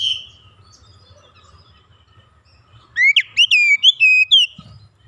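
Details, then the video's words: Untrained oriental magpie-robin singing actively and unloading its fill: after quiet background hum, a short, loud burst of rising and dipping whistled notes, about six in quick succession, lasting under two seconds. "Kacer bahan langsung gacor bongkar isian"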